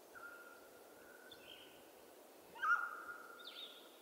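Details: Mountain quail, western North America, uttering a single loud, sharp note with a ringing tail midway, preceded by a low steady tone and followed by thin, higher chirps of other birds.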